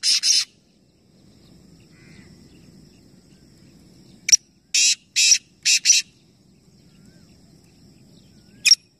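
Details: Three black francolins calling together in competition at Nawabshah, Pakistan: an opening harsh burst, a long quiet gap, then a click and four grating, buzzy notes, and a lone sharp click near the end; faint low background noise.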